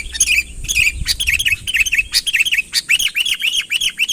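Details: Sooty-headed bulbul calling to summon a rival closer, recorded without added fill: scattered chirps give way to a regular string of rounded, down-up slurred notes, about three per second, clear and sweet.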